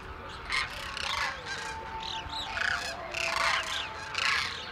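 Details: Migratory demoiselle cranes spending winter at Khichan village, India, gathered where locals scatter grain at dawn; several rolling, honking calls rise and fall over a busy chorus of the flock.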